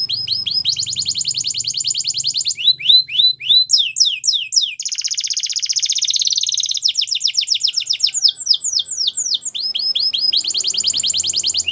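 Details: Belgian canary training song: rapid, varied canary song of fast repeated trills, downslurred whistles and buzzy rolls, the phrases changing every second or two, with a faint low hum beneath.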